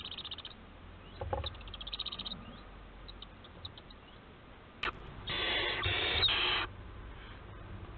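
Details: Barn owl family filmed by nest webcam at Théding, France, on 4 July 2022: one long, harsh, broadband hissing screech lasting over a second near the end, after faint scratchy bursts and a sharp click, over low background hum.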